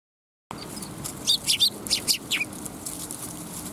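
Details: Sparrows at a Tenmangu shrine on the afternoon of 10 December 2021. A burst of short, high chirps and twitters comes in quick clusters over about a second, then stops. A steady low hum sits underneath.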